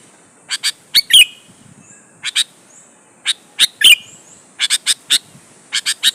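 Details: Sooty-headed bulbul in an energetic lure song meant to make rivals reply: crisp chips in pairs and short runs, some slurred squeaky notes, gaps of about a second between bursts.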